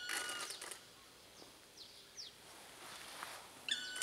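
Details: Black woodpecker in Hokkaido giving harsh, ringing calls: a rasping burst at the start and a clearer high note at the end, with faint chirps between.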